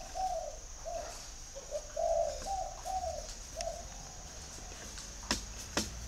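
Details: Calling spotted dove giving a series of soft, hollow coos in uneven phrases, the middle notes longest and loudest, followed by quiet hiss and two sharp clicks.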